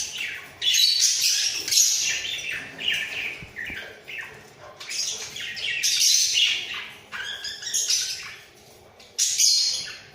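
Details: Two budgerigars in a breeding cage warble energetically while nodding their heads: rapid buzzy, grating phrases broken by brief pauses, with sharp squeaky notes mixed into the chatter throughout.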